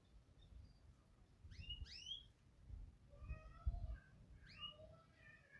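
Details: Belgian canary, described as a Yorkshire canary, singing bright, sweeping whistles and short chirps in loose bursts, some notes rising and some falling, over a steady low rumble of background noise.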